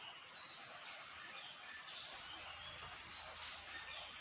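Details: Orange-headed thrush, said to sing constantly as long as there is light; quick high, thin whistled and chirping phrases tumble in short bursts, with a louder note near the start and another at three seconds, over steady background hiss.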